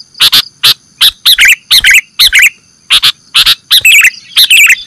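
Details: Sooty-headed bulbul sounds made as a lure for catching birds: evenly spaced loud chips about every half second, several carrying curling whistled tails, ending in a bubbly flourish.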